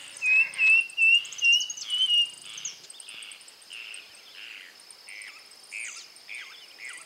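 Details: A pigeon or cuckoo from the Columbidae or Cuculidae families gives a series of clear, high whistled notes, each slightly rising, repeated about every half second and fading in the second half, over steady insect trilling and faint chirps.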